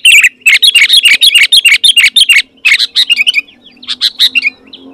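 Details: Vigorous sooty-headed bulbul song meant to call rival wild bulbuls: dense, quickly repeated bright chirping notes for about three seconds, then sparser, softer chirps with a faint low hum underneath.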